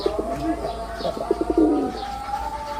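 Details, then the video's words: Brief burst of soft, throaty, stuttering coos from a performing male red-bordered wild pigeon, over a steady humming tone and faint bird chirps. "লাল বডার বুনো কবুতরের অসাধারণ ডাক || Pigeon Sound Effect || Male Pigeon Super Performance"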